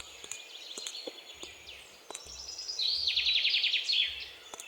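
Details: Great tit singing a short burst of rapid, high, repeated notes after a quieter stretch of scattered chirps from other birds, with soft low thumps throughout.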